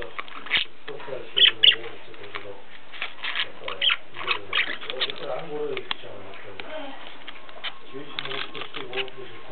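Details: Several pet zebra finches in a home in Ulaanbaatar, Mongolia, chattering with a rapid run of short nasal beeps and buzzy notes throughout, a few louder calls early on, over a low room hum.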